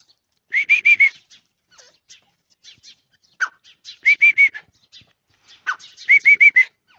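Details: Irani teetar partridge calling in three loud bursts, each of four or five quick, slightly arched whistled notes, spaced about two seconds apart, with faint clicks and chirps between.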